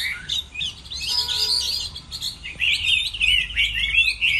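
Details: A Chinese hwamei sings to compete in moulting season, pouring out a busy, warbling song of rapid rising and falling whistles with short pauses between bursts.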